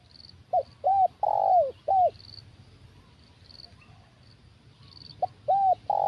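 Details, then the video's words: Spotted dove used in a bird-trapping session with a decoy, singing its strong-voiced 'kuk satu' style: clipped, hooked coos followed by a longer drawn-out coo, repeated in two bursts with a quiet gap between them. A faint high insect-like trill sounds in the background. "Permainan Tekukur Suara Besar Kuk Satu Ini Luar Biasa"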